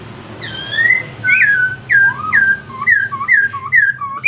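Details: Masked laughingthrush, called poksai hongkong, singing: loud clear whistled slurred notes, a long level whistle then rising and falling phrases, followed by a run of short paired whistles repeated about twice a second, with a quiet low hum behind.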